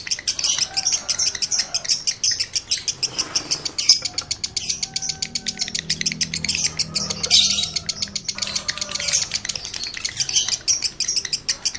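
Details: Breeding-condition male lovebird used to excite other males into ngekek: busy, harsh, high chattering with quick chirps and a few squawky notes, almost continuous, some brief thin tonal notes in the middle.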